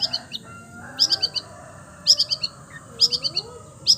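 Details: Long-tailed shrike mimicking other birds: short clusters of three or four sharp high chirps repeated about every second, with faint lower whistled slurs between them.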